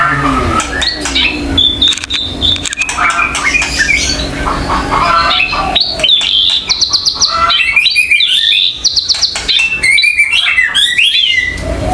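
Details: White-rumped shama (murai batu) in agitated song after being provoked by a mongoose lure and other harsh sounds: rapid varied whistles, trills and harsh chatters packed tightly together, with a few hand claps and a brief word of speech.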